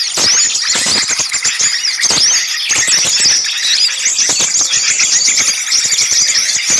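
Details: Noisy gathering of small birds used as a lure for bird catching: a dense mass of high, thin squeaky notes and quick upslurred whistles, overlapping continuously, with scattered sharp ticks throughout.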